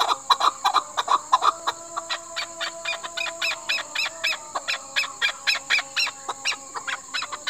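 A chukar gives a rapid, rhythmic series of harsh chuck notes, about three per second, over a steady background hum or tone.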